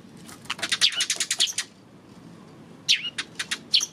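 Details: Eurasian tree sparrow, 28 May: a rapid burst of shrill chirps for about a second, then a pause, then another run of falling cheep notes.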